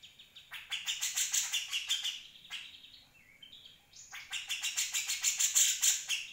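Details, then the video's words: Grey-cheeked Bulbul in a 2020 tutor recording for other birds: two loud runs of rapid rasping chatter, each lasting about two seconds, with softer whistled notes in the pause between them. "Cucak jenggot"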